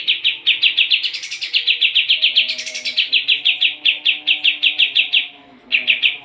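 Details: Sooty-headed bulbul (kapas tembak) in energetic song, recorded for tutoring competition birds: a nearly unbroken five-second rattle of crisp repeated notes, about eight per second, twice lifting into higher buzzy phrases, then a brief pause and restart.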